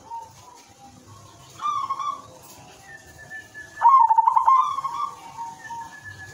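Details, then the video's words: Zebra dove, silver variety, in full song used to draw other doves into calling: a softer coo, then a louder rolling stuttered coo phrase, with a thin sustained whistle running across the background. "perkutut silver gacor manggung irama merdu jadi pancingan semua jenis perkutut dijamin ikut bunyi"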